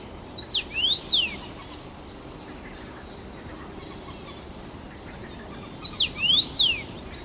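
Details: Common rosefinch, a first-summer male singing abundantly at Bazel, Belgium, on 7 June 2015: two clear whistled phrases, each a few loud notes swooping up and then down, about five seconds apart, with a low hiss throughout.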